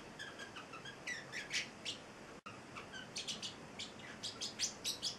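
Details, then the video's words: Celestial parrotlet, a pet male eight weeks old, giving bright high chirps in short clusters, two bursts split by a brief silent break, in a quiet room. "Valentino, the Singing Parrotlet"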